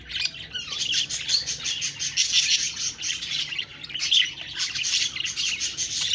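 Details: Budgerigars chirping and talking: a dense, continuous flock chatter of high, scratchy warbles and quick tweets that swells and dips in loudness throughout, with no pauses.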